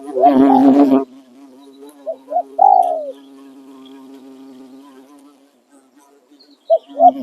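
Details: Decoy spotted dove in Thailand crowing in khan riak and khan yon styles. A loud rough burst opens, then short coos and one long falling note over a continuous low hum, with two more coos at the end.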